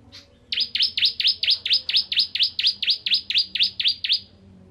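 A bar-winged prinia sings a fast run of about sixteen identical sharp, downslurred notes, roughly four each second, over a faint low hum.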